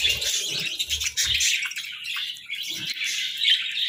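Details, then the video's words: Budgerigars basking in the sun, with bright, buzzy warbled chirps that carry on without pause and a few dull knocks early on. "Sunbathing Budgies"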